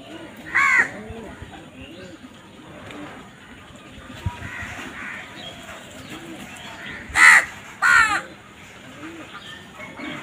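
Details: One rasping crow caw early, then a long quieter stretch before two more loud caws in quick succession, with faint low cooing in the background.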